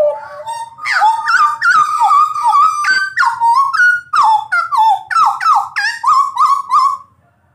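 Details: Jagal blorok shrike in loud, lively song: a rapid string of clear, slurred whistles, each sweeping up then down, mixed with harsh buzzy chatter, repeated about three times per second, ending abruptly.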